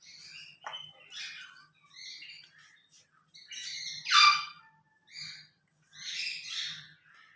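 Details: Pet grey parrot at home on a Sunday morning with its owner, giving a run of squawky, harmonic chirps and speech-like phrases in short bursts, one loud rasping burst near the middle, with a faint low hum beneath.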